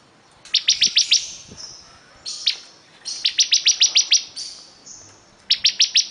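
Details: A vigorously singing bar-winged prinia gives loud bursts of five to seven sharp, high chipping notes in quick succession, broken by brief thin whistles and short pauses.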